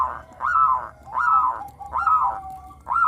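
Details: A captive local zebra dove, praised for a crystal-clear voice, sings lure song for other doves. Drawn, arched, ringing notes repeat about every 0.8 seconds, with a thin steady note between two of them.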